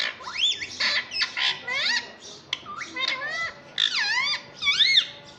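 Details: Talking pet rose-ringed parakeet kept indoors, uttering a dense stream of squawks and bending whistled screeches, some rising, some dipping, with barely a pause between them.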